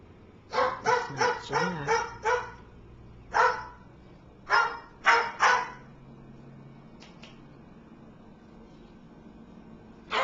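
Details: A bird kept as a "watchdog" gives harsh, dog-like barks in quick bursts of two to five while being urged to "get him", with pauses of a second or more and a few faint clicks between.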